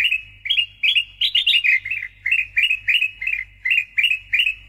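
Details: Sooty-headed bulbul (kutilang emas) singing loudly and often, used as training and prompting audio for songbirds: short bubbly whistled phrases of two to three notes, rising and falling, repeated roughly every half second, over a faint low hum.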